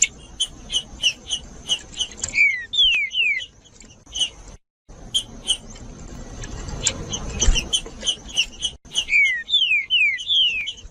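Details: Green-winged saltator singing in the judas style, played to warm up cold birds and stimulate them to sing: rapid clipped high notes repeated about twice a second, then a run of sharply descending slurred whistles, a brief gap, and the phrase repeated over a steady high whine.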